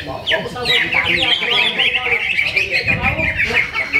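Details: Contest greater green leafbird, first-place winner at a Ramadan practice bird contest in Sungai Batang Jawai, pouring out rapid, twittering high warbles in a continuous stream over crowd chatter.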